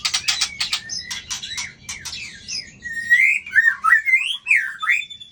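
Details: White-rumped shama flicking its tail to intimidate a rival, tail of 24: opens with a rapid series of harsh, buzzy clicks, then shifts to clear, rich whistled phrases that rise and dip in quick succession.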